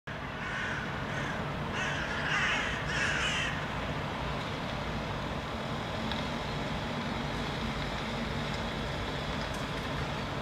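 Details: Hooded crows in Helsinki, Finland, in January give a quick burst of four or five harsh, rasping caws, protesting a hawk (possibly a goshawk) standing on a rooftop, then fall quiet over a steady rumble of traffic.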